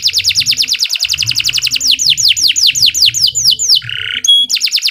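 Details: Canary delivering a long, energetic song: a rapid rolling trill gives way to down-slurred sweeping notes, then a harsh buzz, a clear whistle and a new fast trill.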